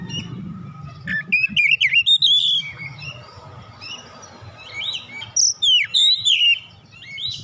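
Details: Oriental magpie-robin, a young bird stirred to sing, uttering fast repeated whistled notes and warbled phrases in two bursts separated by a quieter stretch, with low background rumble.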